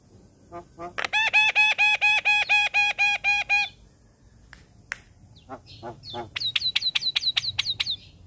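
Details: Young Asian pied starling singing: a fast run of repeated harmonic notes about four per second, then sharp clicks and a series of high rising whistled notes.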